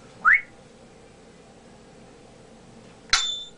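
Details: A pet male African grey parrot gives a quick rising whistle, then after a pause a sharp, bright squawk with ringing tones, in a quiet room.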